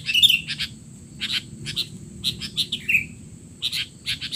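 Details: Sooty-headed bulbul calls used to tutor young bulbuls: a quick twitter at the start, then clipped chirps in small clusters and one downslurred whistled note near three seconds, with a thin constant high tone in the background.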